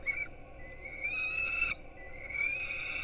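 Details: Young peregrine falcons on a Polish nest webcam in Gdynia at 4:21 am during breakfast feeding: a short note, then two long rising, drawn-out begging screams.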